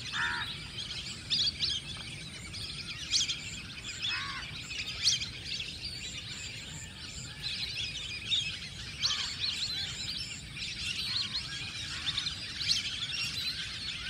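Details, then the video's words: A large flock of Lesser Whistling Ducks in a paddy field gives thin, wheezy whistles in short overlapping bursts every second or two, with steady background hiss. "Paddy Field Full of Whistling Ducks | Lesser Whistling Ducks| (ചൂളൻ എരണ്ട)"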